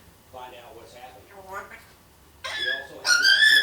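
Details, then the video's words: One-year-old female pet African grey parrot blabbering mimicked phrases: soft, speech-like mumbling first, then loud whistled notes with stacked harmonics in the final second. "1 year old African Grey Parrot, Nala, just blabbering"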